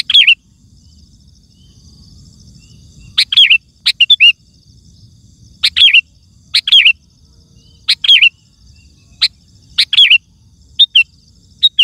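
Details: Vigorous kutilang (sooty-headed bulbul) singing meant to draw wild bulbuls and set other birds singing: a pause, then about nine fast chirpy phrases, some doubled, in uneven bursts.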